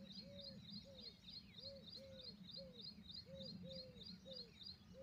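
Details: Peahen, a female Indian peafowl, giving short arched calls repeated about three times a second in an even run, with thin high chirps alongside and a low, steady background rumble.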